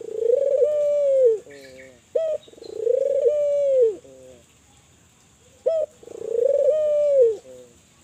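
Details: Spotted dove from Kelantan calling persistently, intended to get other doves to call; three cycles of a clipped note leading into a long warbling coo that falls away, with faint high chirps from another bird behind.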